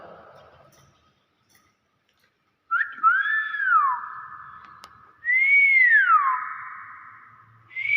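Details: Common hill myna, after a pause, producing two loud whistles that rise, then dip down, each trailing into a held tone. Faint voices are heard beforehand.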